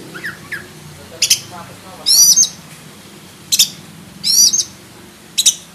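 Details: Black-breasted oriental magpie-robin with a song described as full of varied learned material; short bursts of high, sharp whistled and chattering notes roughly every second, with quiet pauses between and faint speech near the start.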